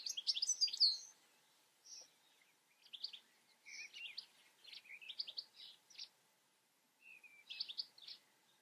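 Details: European goldfinch song opening with a rapid bright twitter, followed by separate short bursts of chirping notes spaced about a second apart.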